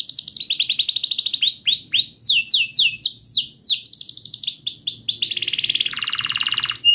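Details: Canary singing long and continuously, meant to coax a silent bird into singing: fast rattling trills give way to looping swept notes and deeper rolls near the end.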